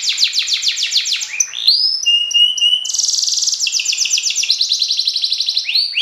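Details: F1 YS canary in full contest song: fast repeated chip trills, a rising slur into a held pure whistle, then a dense buzzy roll and quick descending note series.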